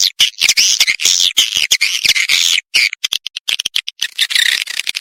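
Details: Kalimantan swiftlets chattering in rapid high trills with a fluttering rise and fall. The bursts grow more broken and clicky toward the end.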